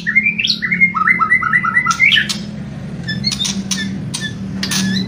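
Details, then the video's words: White-rumped shama whistling and kretekan: a series of short upward-slurred whistles repeated rapidly, then scattered harsh crackling notes and brief high tones over a steady low hum. "MURAI BATU... KRETEKAN & SIULAN"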